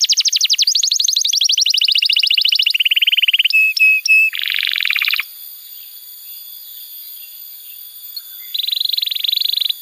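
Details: Canary singing briskly as a training model for young canaries: fast rattling trills shift pitch, with a buzzy lower roll and a few sharp notes, then a quiet pause before a bright trill resumes.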